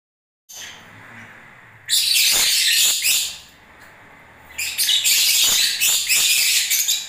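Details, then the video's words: Lovebirds singing during the breeding season: two long bursts of shrill, dense, high-pitched chattering and twittering, separated by a quieter stretch with faint background chirps. "Love birds singing and movements"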